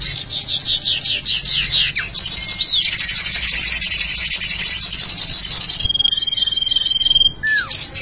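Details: Common iora lure sound used to attract birds: dense, rattling high trills repeated in fast bursts, broken by a steady whistled note and brief downslurred notes.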